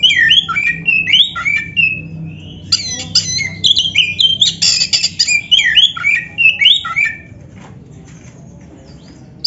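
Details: Black-breasted oriental magpie-robin song meant to stimulate caged birds to sing and fan the tail; about seven seconds of rapid varied whistles mixed with scratchy buzzy notes, then quiet.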